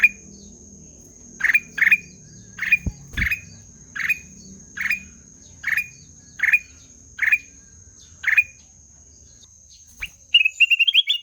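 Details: Melodious ruby-throated bulbul (kutilang emas) song: a string of crisp, evenly spaced chirped notes with upturned endings, a soft knock near the start, then a quick high rising twitter to close.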